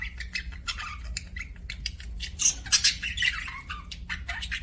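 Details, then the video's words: Budgerigars kept as pets in an aviary, giving fast scratchy chirps and squawky warbles, about two or three notes per second, with a few sharper high squeaks in the middle. "BUDGIE CHIRPING SOUNDS"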